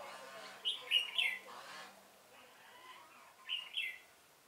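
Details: Red-whiskered bulbul used as a lure bird for trapping, recorded 1 November 2017: two bursts of short, bright warbled notes, the first around the first second and the second near the end, with quiet gaps between.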